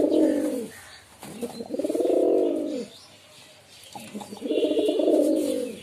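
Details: Pigeon cooing indoors: three long, low, throaty coos, each swelling and falling over about a second, separated by short pauses with faint rustling between them.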